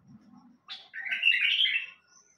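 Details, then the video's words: Quick high opening note followed by a bulbul's fluty, tumbling song phrase that rises and falls over about a second. Soft low noise is heard before it. "تغريد بلبل سحاني"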